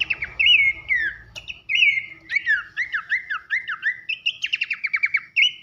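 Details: Training masteran of pelanduk semak, Horsfield's babbler: loud sliding whistles, a sharp click, a sequence of falling whistled phrases and a closing dry trill, with low rumble early on.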